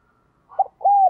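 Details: Calling decoy spotted dove used to attract wild doves: a short soft note, then one sustained, even, mellow coo that drops slightly at the end, with clean silence before it.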